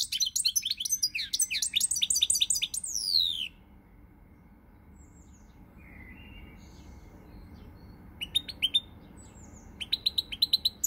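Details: European goldfinch song, recorded 20 March 2020: a dense burst of rapid twittering notes at first, a quiet pause with a soft faint note, then short bursts of high chirps returning near the end.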